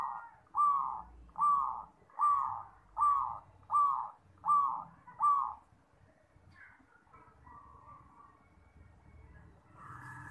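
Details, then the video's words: Zebra dove (perkutut) song used to train young birds: seven short, even cooing notes in a steady series, about one every 0.7 seconds, followed by quieter scattered coos and faint background noise. "PERKUTUT JUARA Suara TERBAIK!!! Melatih Perkutut Bakalan"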